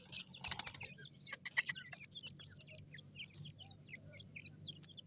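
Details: Forest-feeding francolin chicks utter scattered high peeps and short chirps, with loud scuffling clicks at the start and a low hum throughout.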